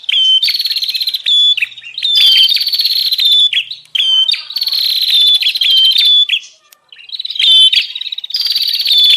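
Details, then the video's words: Lure recording of a bar-winged prinia meant to attract wild birds: a run of harsh, very rapid buzzy trills in repeated bursts, with sharp high ticks between them and a short silent gap near the end. "Suara pikat burung prenjak Ribut"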